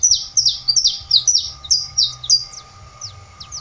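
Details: Saffron finch, known locally as canário da terra, repeating loud high chirps that slur downward, roughly three per second, ending in softer scattered notes, over a low steady rumble.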